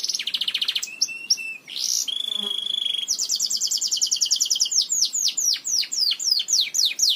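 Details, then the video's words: Belgian canary singing, song meant to teach other canaries: varied phrases of rapid trills, a steady whistled tone, then a series of quick downward-sweeping notes repeated several times per second. "CANTO PARA ENSINAR CANÁRIOS BELGAS"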